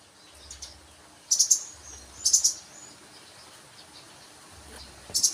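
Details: High, thin sunbird chirps in three clustered bursts of rapid notes roughly a second apart, with a faint low hum underneath.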